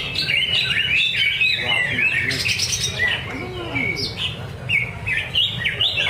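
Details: Greater green leafbird in a cage competing at a practice singing contest at Danau Bumi Restu, Cikunir. It gives rapid, varied whistles and twittering trills, densely layered with other birds' songs over a murmur of voices and background hum.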